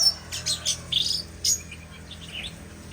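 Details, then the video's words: Shama singing in short bright phrases, a few clear whistled and chirpy notes spaced with pauses, high-pitched, over a low steady hum. "Beautiful Shama Bird"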